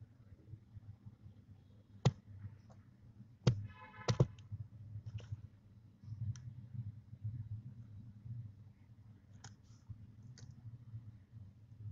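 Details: Scattered sharp clicks and taps over a low steady hum, with no animal voice heard.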